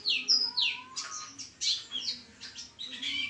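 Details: White-eye singing prolifically: high, thin chirps and quick downward-sweeping twitters delivered in rapid bursts, fairly soft, with a faint low hum underneath.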